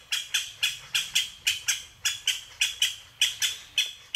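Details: Japanese green woodpecker giving a rapid series of harsh, squawking, broadband notes, about sixteen in four seconds at an uneven pace, each note sharp-edged and fading quickly. The background is quiet.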